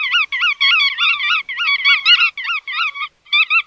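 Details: Nasal, harmonic bar-tailed godwit calls in clustered bursts, each note bending up and down, the groups separated by brief gaps and one short silence near the end.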